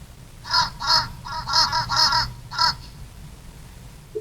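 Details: Fish crows at backyard feeders in America give about six short, nasal, staccato caws in quick uneven bursts, some run together, over a low background rumble.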